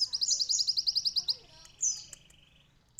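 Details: Sunbird song for canary training: a steady, rapid string of high, sharp notes lasting over a second, a brief descending slur, then quiet.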